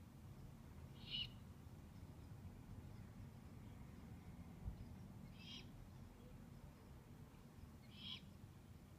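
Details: Owlets, 2/11/15, giving three brief rasping hiss-like calls spaced roughly two to four seconds apart, each a short noisy burst, heard above a steady low rumble.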